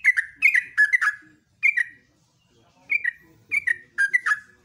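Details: Morning song of a yellow-vented bulbul (trucukan) in ropelan style: an opening burst of gurgling falling whistles, then scattered single and paired slurred notes after a brief silence.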